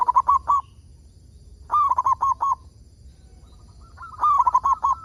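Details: Local zebra dove in steady song, used to stimulate other zebra doves to sing: three phrases of four to five quick, gurgling coos spaced about two seconds apart, the last introduced by a softer rising coo.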